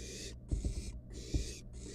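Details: Wild barn owl nestling in a nest box, playing with its food, giving three rasping hisses in quick succession over scratching sounds and a low electrical hum.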